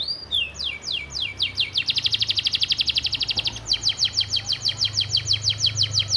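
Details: Canary singing an Isian Gereja training master: a fast, evenly pulsed trill of rapid repeated notes, then a run of sharp descending chips, with a low steady hum underneath.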